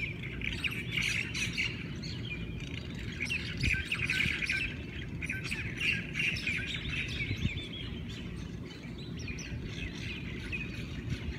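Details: Hawaiian birds greeting the morning in Hawaii with a crowded chorus: rapid twittering bursts and repeated quick chirps in uneven clusters, alongside a persistent low rumble.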